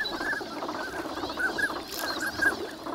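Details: A flock of wintering migratory ducks at Nagahama on Lake Inawashiro, Japan, chatters in the morning: dense overlapping quacks and murmurs, with thin whistled notes breaking through about once a second.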